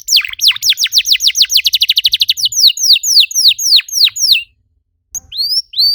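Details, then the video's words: Canary song used to spur other canaries to sing, a brisk trill of falling whistled notes slowing into broad sweeps, then silence and two rising whistles. "PANCINGAN EFEKTIF BURUNG KENARI, CORR DORRR!!"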